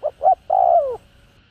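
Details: Single spotted dove phrase from a calling, urging and cooing set for decoy birds: two short mellow notes, then one long loud coo gliding downward.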